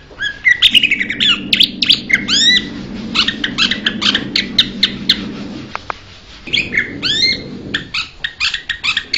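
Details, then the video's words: Blue-winged leafbird: descending whistled phrases and curved notes mixed with sharp clicks, a short quiet gap, then renewed whistles and chips, against a faint steady hum. "นกเขียวก้านตองปีกสีฟ้า - Blue-winged Leafbird bird call"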